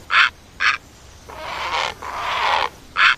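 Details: Great egret call: brief clipped squawks at the start and end, framing two longer, drawn-out rasping croaks in the middle.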